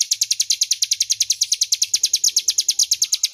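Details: Crescent-chested warbler, ngebren style master song for magpie-robins: rapid, insistent repetition of shrill high chirps at an even pace, slightly rasping, with faint low noise behind.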